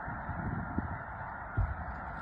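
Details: Massed honking from a snow goose flock taking off in Mobridge, South Dakota, in early March; unbroken low clamour of many birds, with two brief louder bursts in the middle.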